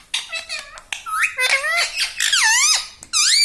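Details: Talking parrot kept as a pet, mimicking "Mummy", "Papa" and "Mitthu": a rapid run of warbling, harmonic, speech-like syllables that swoop down then up in pitch, ending in a loud harsh note, indoors.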